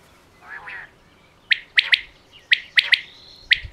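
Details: Quail from Pakistan, described as female, giving sharp three-note phrases, each a quick clipped note followed by a close pair. The phrases repeat roughly once a second, after a soft faint sound at the start.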